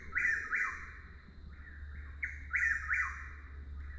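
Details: Chuck-will's-widow, a nightjar often mistaken for Whip-poor-will, calling nonstop: two loud whistled, rolling phrases about two seconds apart, each starting with a soft note and falling at the end, over a steady high drone and low rumble.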